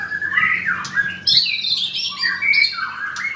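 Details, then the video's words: Caged white-rumped shama at a bird kiosk in Kemayoran, Jakarta. It gives descending slurred whistles, then a loud burst of high ringing notes followed by more falling warbles, all close and clear. "Murai Batu Gacor"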